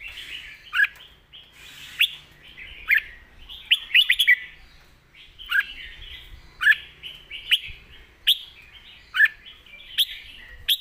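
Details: Red-whiskered bulbul kept in a cage, giving its master-pattern song loud and clear: repeated bubbly whistled phrases with crisp sharp notes, about one burst per second or two, steady rhythm over a quiet low hum.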